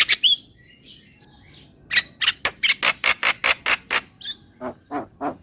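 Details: Javan myna giving a whistled note, then a quiet pause, then a steady series of about ten loud harsh squawks, ending in lower nasal chucks.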